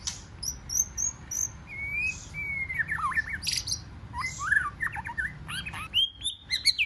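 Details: Varied song of a white-rumped shama in forest-voice style, used to incite wild-caught shamas to contest singing; thin high whistles, sliding mid notes, a burst of harsh noise, then quick jumping phrases.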